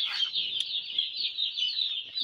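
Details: Many broiler chicks peep continuously in a winter brooding setup, making a bright, high, trilling wall of sound with little pause.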